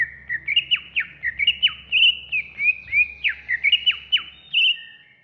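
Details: A greater green leafbird on a tutor recording sings a fast, varied run of bright whistles and sharp downward-slurred notes, high-pitched and continuous, with a faint low hum underneath.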